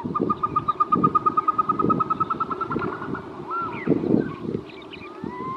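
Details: Loud run of quick, clipped notes from a Caspian snowcock, fading out, then scattered rising whistles over a low rumbling background.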